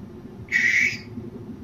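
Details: Barn owl, one of two calling back and forth at night: a single harsh, hissing screech about half a second long, steady in pitch, rising abruptly out of low background rumble and cutting off sharply.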